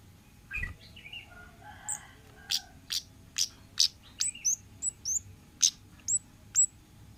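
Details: Orange-headed thrush singing in the wild 'ngalas' style, used as a lure for young birds: a varied run of sharp, high, clipped notes and short downslurred whistles roughly every half second, after a few softer warbled phrases, over a quiet background.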